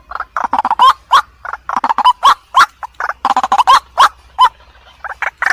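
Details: White-breasted waterhen giving harsh, croaking calls in uneven bursts: clusters of quick rough notes broken by single louder upslurred honks.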